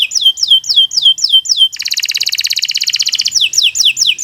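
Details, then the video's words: Singing Kenari Nusantara canary: six sweeping downslurred whistles, then a rapid rolling trill of even pulses lasting over a second and a half, ending with further fast descending slurred notes. "Kicau Burung Kenari 173 II LUAR BIASA GACOR PANJANG Cocok untuk Masteran"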